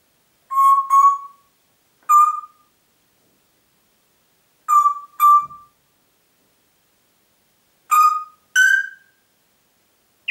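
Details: Pet Congo grey parrot in Diebach near Hammelburg, Germany, 4 April 2012, whistling short clear notes, mostly in pairs, spaced a few seconds apart over ten seconds, the last pair ending on a higher note, otherwise silent.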